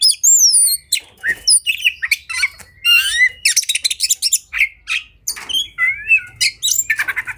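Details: Oriental magpie-robin in heated fighting song, said to trigger rivals to open their tails: sliding high whistles, harsh squawky notes and chattering runs mixed in a varied, nonstop stream.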